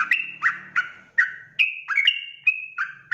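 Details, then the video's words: Sooty-headed bulbul singing the quick 'ropel' lure song used to provoke answering bulbuls; bright whistled notes, some drawn out and others slurred downward, with a faint low hum early on. "trucukan ropel gacor RAJA PIKAT"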